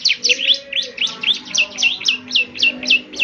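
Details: Vigorous ciblek semi song, for playing every morning so birds respond: clear, evenly spaced high chirps, each a quick rising-then-falling sweep, about eleven in three seconds over a quiet background.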